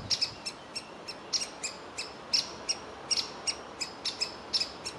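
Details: Juvenile woodpecker sitting in its nest hole waiting for food; clear, sharp, high calls, often in pairs, repeated several times a second over a quiet background.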